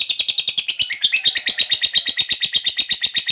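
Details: Lovebird ngekek chatter, played to goad other lovebirds: a quick run of piercing, buzzy notes, slightly jumbled at first, then settling into an even, rapid rattle.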